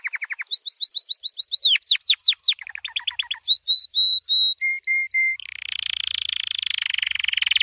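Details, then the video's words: White canary's training song runs through quick tours: rapid chips, a series of steeply falling swept notes, short stuttered notes, clear flat whistles, then a dense buzzy roll at the end. "White Canary 12h Singing - The Best Training Song"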